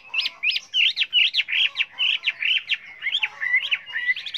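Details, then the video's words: A Chinese hwamei delivers rapid, jagged whistled notes, about four per second, in a lively, varied phrase used to train other hwameis. "Luyện chú chim họa mi hót hay"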